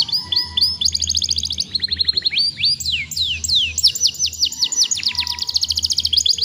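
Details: Young canary singing a long, fast song to spur other young birds into song: rapid trills of steep downward-sweeping notes, high rolling phrases and sharp upslurs, shifting from one trill type to the next without pause.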